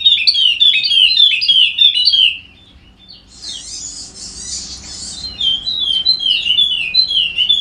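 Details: Sumbawa's golden-headed Wallacean white-eye in full continuous song, played to make lazy birds sing: a fast, dense chatter of high sliding whistles, a harsh buzzy rasp in the middle, then the rapid warbling resumes.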